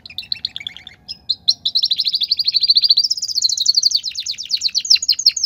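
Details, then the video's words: Belgian canary singing in the campainha style: a few short chirps, then fast rolling trills that pulse rapidly, stepping up in pitch midway into a bright, sustained metallic rattle, with a faint low hum underneath. "canario belga campainha"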